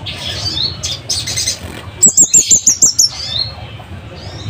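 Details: Scarlet-headed flowerpecker recorded as a master for caged birds, singing loud and sharp: a brisk series of seven high, bright downslurred notes, preceded by softer scratchy chirps and a light hiss.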